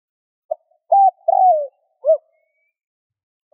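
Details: Spotted dove cooing to stir other doves into cooing: a short soft note, then two longer mellow hoarse coos, the second slurring downward, a brief rising coo, and a faint closing note. No other sounds are heard.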